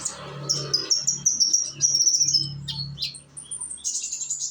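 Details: Young sunbird (konin) of Indonesia singing to prompt other birds: a quick series of high, thin, repeated slurred notes, then scattered chips, over a low humming background.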